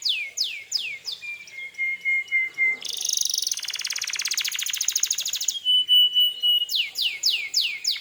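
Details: Canary song to incite other canaries to reply: swooping downslurs, a long level whistle, a sustained buzzy rattle, another whistle and renewed rapid downslurred notes.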